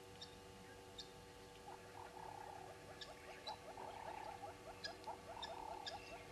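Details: Red-billed hornbills at Djuma, recorded at 05:34 on 10/02/19: after a quiet start, a long run of quick, clucking notes builds up and keeps repeating rapidly, with faint high chirps from other birds above and steady background hum.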